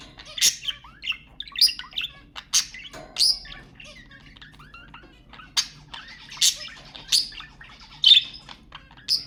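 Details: Budgerigars, stimulating sounds for pet budgies: a busy stream of harsh squawks and twittering chirps, bright bursts roughly every second over nine seconds, with softer warbled notes between them.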